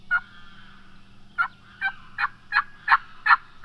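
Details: Osceola wild turkey on Florida public land at dawn during the 2020 spring season, a gobbler roosted in cypress about to fly down toward hunters; seven sharp, raspy notes repeating roughly every third of a second.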